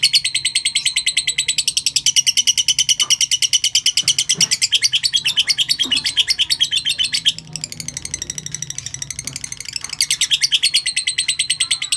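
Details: Lovebird giving a long ngekek call: a fast, steady, harsh chattering trill of high, rasping notes that runs almost unbroken, with only a short dip near the middle, then resumes at full pace.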